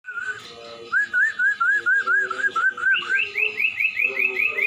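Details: Common iora song on a training recording: a string of clear, rolling whistled notes repeated about three times a second, then shifting higher into a faster series of rising whistles.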